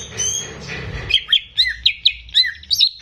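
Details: Greater green leafbird, caged and recorded as a song model for young birds, with a noisy start giving way to a series of crisp, evenly paced whistled chirps.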